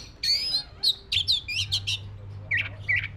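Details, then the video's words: White-rumped shama of the black-breasted type giving a loud harsh buzzy note, then a quick series of rasping chirps and two softer warbles, low hum behind. "SUARA BURUNG KACER (DADA HITAM)"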